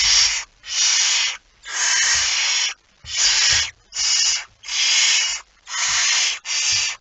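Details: Barn owl with a mouse, recorded 17 September 2019 at 01:49: eight harsh, broadband hissing bursts, each up to about a second long and separated by short silences, with faint low knocks underneath.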